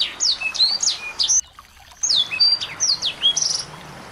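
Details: Small birds singing, used as a lure to spur a white-rumped shama into song: quick high chirps and short downward-sweeping whistles from several birds, a brief hush midway, then the chatter resumes.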